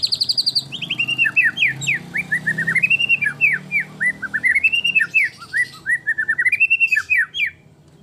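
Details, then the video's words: Singing white-rumped shama, 'gacor full tembakan' style, delivering looping, fluid whistled phrases that rise and fall in quick succession over a faint low hum. "kicau murai batu gacor full tembakan"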